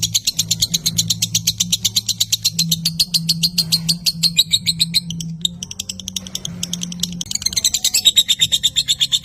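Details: Lovebird ngekek trill intended to prompt young and adult birds: rapid high chirping that fades and breaks midway, then resumes sharper near the end, over a low continuous hum.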